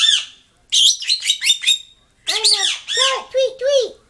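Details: Indoor lovebird, very upset at an object, letting out a rapid string of harsh, buzzy high squawks. Human voices and laughter-like sounds follow and overlap in the second half.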